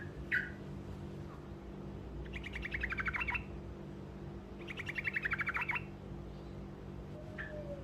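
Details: Truco short rolling song intended to make other birds answer: two separate fast trills of buzzy repeated notes, each about a second long and a few seconds apart, with occasional single sharp chips and a steady low hum.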